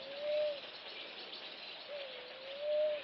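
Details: Namaqua dove (Oena capensis), call.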